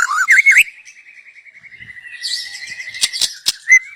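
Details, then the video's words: Wild young white-rumped shama from the forest, singing as a lure: looping whistled notes open into a long steady trill, followed by three sharp cracking chips and a closing whistle. "Kicau burung MURAI BATU Muda Hutan. Cocom untuk pancingan"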